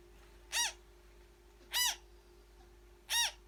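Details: Three rough, buzzy calls from a newborn African grey parrot being hand-fed, each brief and arched, roughly 1.3 seconds apart, with a faint electrical hum throughout.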